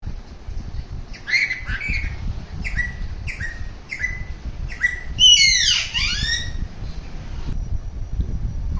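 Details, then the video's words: An Alexandrine parakeet gives a string of short, clipped squawks about twice a second, then one louder, harsh, tearing screech that drops in pitch, over a low room hum. "Alexander Parrot Making different sounds"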